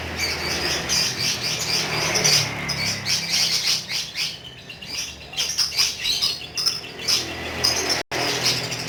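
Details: Lovebird kept as a pet, chattering 'ngekek' style: a thick stream of high, grating twitters for about four seconds, then shorter choppy bursts of shrill notes, over faint low hum.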